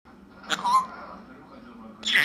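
An African grey parrot gives a brief speech-like utterance, then a short squeaky, rising sound about a second and a half later, in a quiet small room.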